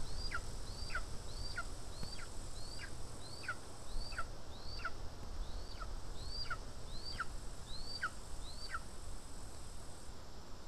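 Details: Estonian lesser spotted eagle at the nest on 2 August 2020, being fed voles. It gives a long, even series of high whistled calls, each rising then dropping steeply, spaced about two thirds of a second apart against steady outdoor background hiss.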